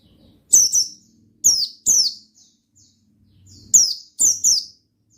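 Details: Oriental white-eye singing gacor ngalas: paired and single shrill notes that sweep downward, in two groups separated by a brief lull with a faint low hum.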